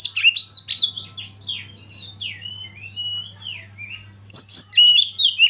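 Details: Oriental magpie-robin lead bird, a master singer used to provoke other birds into singing: rich, varied song of sharp whistled upslurs and downslurs, quick chirps and buzzy notes, delivered in fast overlapping phrases with a steady low hum beneath.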